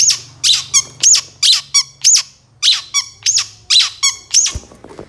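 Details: Long-tailed shrike master recording for training songbirds: harsh downward-sweeping notes repeated steadily about every half second, interleaved with brief clicking rattles.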